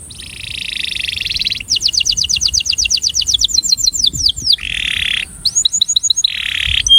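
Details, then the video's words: Breeding male canary singing an attraction song: a buzzy rolling trill, then fast descending whistled notes in a long series, a lower buzzy roll, and more repeated swooping notes. "Canário Reprodutor - Som de Atração"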